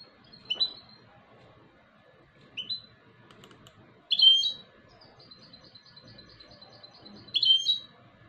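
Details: European goldfinch hybrid singing: short, bright chirped notes rising and falling, spaced a couple of seconds apart, with a faint high rapid string of ticks between them over a quiet background.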